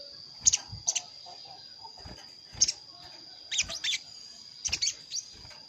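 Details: Lure recording of a sogon calling a rival, meant to draw wild birds into a trap; thin, high, clipped chirps in small clusters, spaced unevenly, with a constant high-pitched hum behind.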